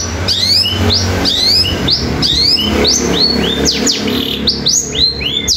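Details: Long-tailed shrike delivering a sparrow-fighting sound mixed with nature material, sung rapidly and continuously: sharp upswept whistled chirps repeated in quick series, with a low steady hum underneath.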